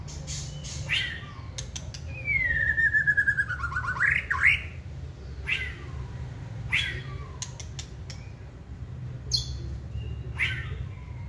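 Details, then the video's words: White-rumped shama, a caged bird that fans its tail and sings readily when stirred: a long clear whistle sliding downward then rising sharply, framed by sharp clicks and brief bright notes. "Chòe lửa siêng tạch chơi đuôi bung xòe kích là hót"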